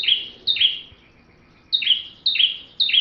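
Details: Bar-winged prinia song for magpie-robin tutoring: sharp paired notes, each a high chip dropping into a lower downslur, a long gap, then a run of three.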